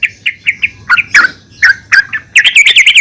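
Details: Female yellow-vented bulbul calling other bulbuls; evenly spaced chirps, some lower slurred notes, ending in a quick wavering run of high notes.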